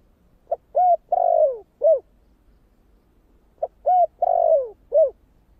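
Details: Two evenly spaced four-note phrases from a spotted dove singing the deep 'thổ' style used to provoke wild birds: a quick pip, a mellow coo, a long sliding-down coo and a closing hoot.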